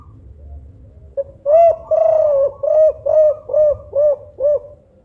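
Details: Spotted dove of the five-note "kuk 5" type with a big voice, used as a lure: a loud run of about seven hollow, slightly arched coos, one every half second or so, over a faint low rumble.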